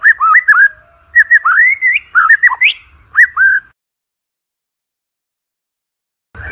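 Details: White-rumped shama song, described as wild chatter used to prompt birds for song competitions: a quick run of clear, slurred whistles, some rising, some falling, in the first few seconds, then near silence with a faint noise at the end.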